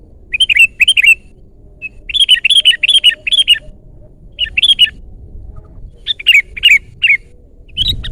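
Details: Loud, lively sooty-headed bulbul song, repeated short chirpy phrases in bursts: a pair, then a run of four, then clusters of three, each note a bright slurred whistle, with a faint low rumble behind.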